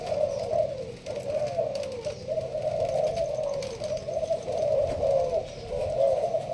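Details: Caged Malaysian spotted dove performing the sparse-style urging coo. Soft throaty coos fall into regular groups about a second apart against a quiet hiss.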